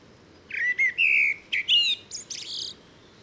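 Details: Common blackbird singing a phrase of mellow whistled notes, some drawn out and level, followed by a high, strained twittering flourish at the end.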